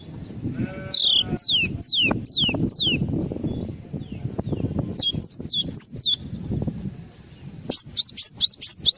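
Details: Full song of a Java sparrow, made of bright downslurred chirps in bursts, then a fast run of short high notes, over a steady low murmur of background noise.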